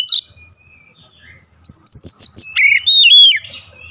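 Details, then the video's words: An oriental magpie-robin gives one high note, falls silent, then delivers a fast sequence of sweeping whistles and chirps, from daily training for a long rolling song. "KACER CEPAT NGEROLL PANJANG"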